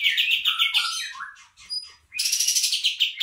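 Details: Lure audio for attracting bulbuls: rapid high trilled notes, a descending slurred phrase, quieter chatter, then another bright fast trill.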